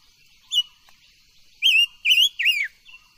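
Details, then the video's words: Caged silver-eared mesia singing, used for voice training: after a faint opening note, three loud slurred whistled phrases, rising then falling, follow in quick succession over a steady high electrical hum. "Tiếng chim ngũ sắc hót hay luyện giọng ngũ sắc"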